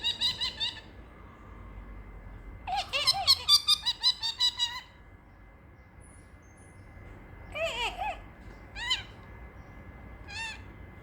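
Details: Caged pet parrotlet, bored indoors on a warm Friday afternoon, making funny noises: short chattering bursts, a long harsh trill of rapid pulsed squeaks, then scattered single chirps with quiet pauses between.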